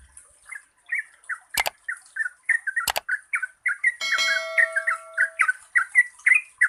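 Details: Yellow-vented bulbul (trucukan) chattering in the continuous 'gacor ropel panjang' manner, played to stir lazy singers. Gurgling notes run steadily, broken by two sharp clicks and a brief tonal ringing noise partway through, with a thin high hiss behind.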